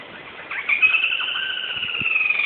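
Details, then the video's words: Black-rumped flameback calling: a fast, continuous, slightly descending rattling trill that lasts about two seconds, with steady background hiss. "Black-rumped flameback sounds"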